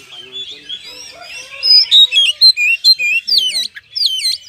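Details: Oriental magpie-robin singing vigorously in ngeplong style, a lure meant to provoke other birds to fight. Soft warbles lead to a rapid series of loud whistled notes and steep up-and-down sweeps, several each second.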